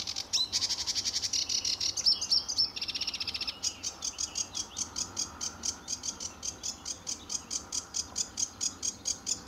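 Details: Sedge warbler singing at RSPB Fowlmere on a sunny July 2013 morning: a dense buzzy run, then a long train of dry clicking notes, about four each second.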